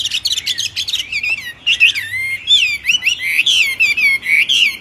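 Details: Myna singing a rapid run of whistled notes that rise and fall, with harsh squawky phrases and quick clicks between them in a steady varied stream.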